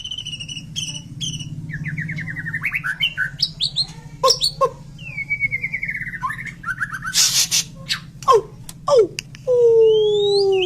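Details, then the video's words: White-rumped shama (murai batu) singing energetically with full 'isian' phrases. Clipped repeated chirps, then rising and falling whistled runs and sharp notes, ending in a long descending whistle over a constant low hum. "Kicauan Terbaik murai batu superman gacor Full Isian"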